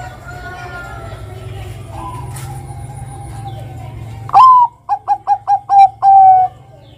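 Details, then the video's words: Zebra dove of the Bangkok type, sung to prompt untrained doves: after a faint murmur, one loud full phrase with a rising first note, five quick staccato coos and a drawn-out closing coo. "Ngerot Kuwor Kuwor Langsung MANGGUNG Pancingan perkutut Bangkok Pintar Bikin BUNYI kutut Bakalan"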